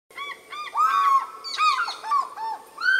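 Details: African fish eagle (Haliaeetus vocifer) calling at Lake Panic near Skukuza, Kruger National Park: loud, ringing yelps in a rapid series of arched, slightly nasal notes, and a second bird seems to overlap in a duet.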